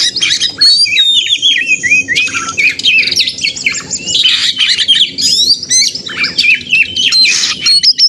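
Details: Male white-rumped shama, a caged contest bird, in fast, dense song meant to provoke other caged birds: rapid high whistles, sharp chirps and buzzy rattles tumbling over each other continuously, with a low background hum.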